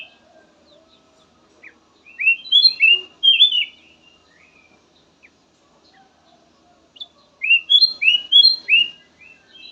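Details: Kutilang emas singing a soothing variation used as a lure: two bursts of clear, upward-sweeping whistles, several notes in fast succession, separated by a long quiet gap with faint background sounds.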